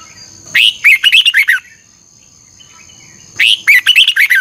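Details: Morning training recording of a red-whiskered bulbul, strong 'hót ché' with a double-twisted voice: two energetic phrases of chirpy, warbling whistles about three seconds apart over a faint steady high tone.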